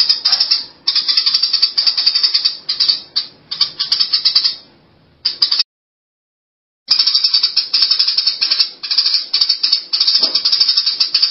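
Eurasian tree sparrows chirp in dense, high-pitched bursts of chattering notes with few breaks, except for one brief silence in the middle.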